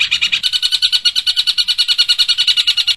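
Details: Long-tailed shrike (Lanius schach), mimicry song.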